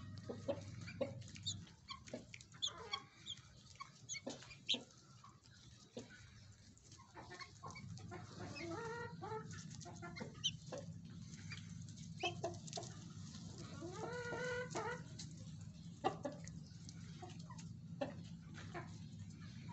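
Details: Four-month-old guineafowl give harsh, stuttering clucks and chattering calls in irregular bursts over a steady low hum.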